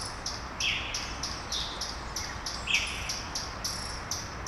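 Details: Small birds singing at dawn in Brasília, Brazil: short high chirps and twitters repeated irregularly, with a faint insect-like background hiss.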